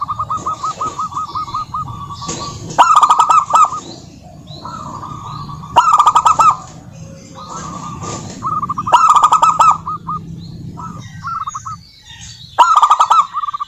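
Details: Singing local zebra doves meant to trigger song in other doves; rolling beaded coo trills alternate with four loud buzzy bursts, with faint background hum.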